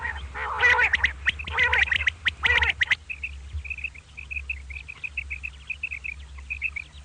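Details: Morning calling of two common quail (batair), kirk karkar style. Rough, harsh, squawking bursts for three seconds, then a run of brief, high chirps, roughly one per second. Low hum throughout.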